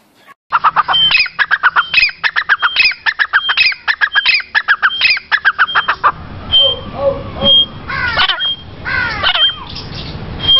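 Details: Grey francolin, locally called gora teetar, giving a loud run of rapid, harsh repeated notes for about five seconds, then scattered squeakier calls over a noisy background.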